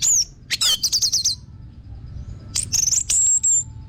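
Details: Orange-headed thrush singing, used as a training lure for other birds: a high wavering whistle, a rapid series of sharp chipping notes, then a pause before a long, sweet, level whistled phrase.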